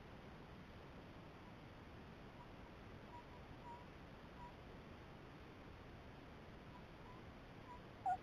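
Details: Only a steady, even hiss with a faint low rumble fills the night recording, ending in one brief click.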